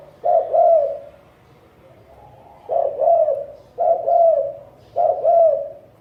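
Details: Spotted dove picked for its fine cooing voice in a 2020 top ten: deep, mellow coos, each a short note run into a longer purring one, one coo, a pause, then three more in quick succession.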